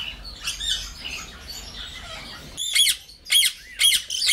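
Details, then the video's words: Senegal parrot giving harsh, high squawks in rhythmic bursts, about two per second, after a stretch of soft, busy chatter in the background. "INCRÍVEL PAPAGAIO DO SENEGAL / SENEGAL PARROT"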